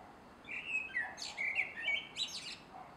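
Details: Common blackbird, a male, sings in a garden at dusk, 3 July 2016. A run of rich whistled notes is broken by sharp, squeaky high flourishes, and the phrase ends softly in a still evening.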